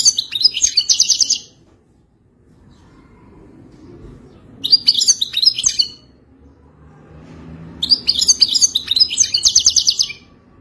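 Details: Wild European goldfinch singing for mating, used to teach a captive goldfinch to sing: three bursts of rapid, tinkling twitters and buzzy trills, each lasting one to two seconds, separated by quiet pauses with a faint low hum.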